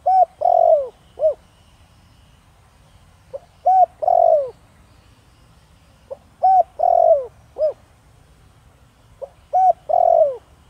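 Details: {'caption': 'Spotted dove, a caged male of the Thổ Đồng voice type used to lure wild doves, giving repeated low hollow coos in phrases of short notes and one longer drawn coo, each phrase about every three seconds.'}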